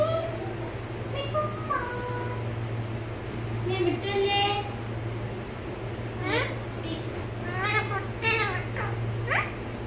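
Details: Pet parrot said to speak Malayalam well; scattered soft, voice-like phrases with wavering pitch, some higher bursts and sweeping syllables later on, quiet gaps between, steady background hum.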